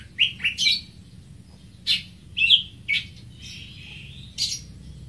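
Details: Greater green leafbird giving separate clear chirps and downslurred whistles, spaced about half a second to a second apart, with quiet gaps between phrases.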